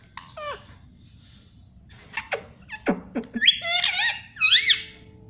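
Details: Pet parrot talking indoors, mimicking words such as mummy and papa: a few short harmonic syllables, then louder quick rising-and-falling squawky phrases near the end against a quiet room hum.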